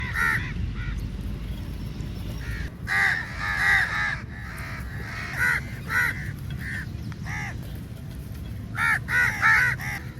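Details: Large flock of crows at feeding time, rushing at food and calling very loudly: harsh, nasal caws in scattered bursts and overlapping clusters, with a steady low rumbling background throughout.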